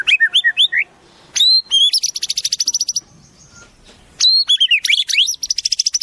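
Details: Murai song built from wild-bird phrases: quick looping whistles, then rattling series of rapid high notes interrupted by pauses, a sharp rising-falling whistle and more fast rattled runs to the close.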